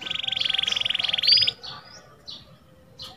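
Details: Kenari, a canary, opens with a rapid, even, buzzy roll that ends in a bright upward whistle, followed by sparse soft chirps and brief pauses.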